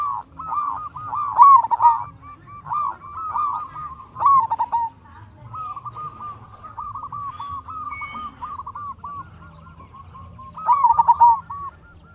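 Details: Local zebra dove singing to lure other zebra doves into answering: a loud run of bouncing coos at the start, softer even chains of cooing notes through the middle, then another strong rolling phrase near the end.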